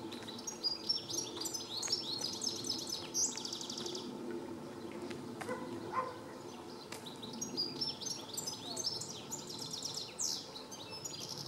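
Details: Goldfinch song recorded 4 July 2014 in Planina Gornja, Croatia: dense bursts of bright, liquid twittering and rapid chirps, one stretch in the first four seconds and another near the end, with faint background noise.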